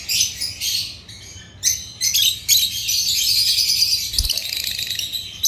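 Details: Chirping African lovebirds (Agapornis): separate shrill chirps at first, then a sustained, rapid, high-pitched warbling chatter. A faint low thump is heard near the end.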